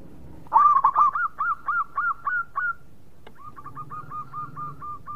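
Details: Native zebra dove song: a loud opening flourish followed by a steady string of about eight bouncing coo notes, a short gap, then a softer, faster run of similar notes.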